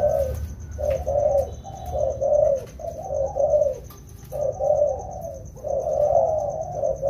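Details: Wild-caught spotted doves, a pair being trained in the rainy season, make a steady series of deep, hooting coos. The notes are grouped into phrases separated by brief gaps, with a steady high pulsing in the background.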